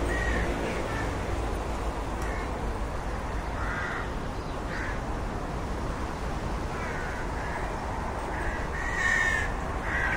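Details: Rook giving scattered hoarse caws, short harsh notes spaced irregularly across several seconds over a steady low rumble of wind or background noise.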